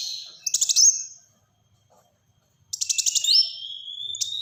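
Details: Black-throated sunbird singing fast high-pitched bursts: rapid ticking notes with sweeping whistles, a pause, then another dense trilled burst ending in a thin sustained whistle.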